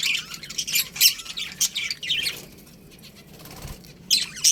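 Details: Budgerigar colony chirping: busy high twittering at first, then a quieter stretch of about a second, before sharp chirps return.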